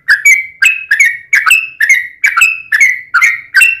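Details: Long 'ropel' song of a yellow-vented bulbul, used to provoke other bulbuls into singing: crisp whistled phrases with clicky starts and slightly falling tails, repeated evenly about every half second.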